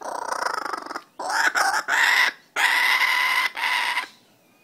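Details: Laughing kookaburra, a wild but very tame bird perched on a house railing outside, calling at close range in loud harsh harmonic bursts of about a second each, separated by short gaps, with a man's voice coaxing it just before.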